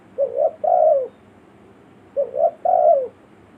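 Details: Spotted dove, a village bird's call used to lure wild forest birds: two soft, low cooing phrases, each a pair of short notes followed by a longer descending coo, roughly two seconds apart.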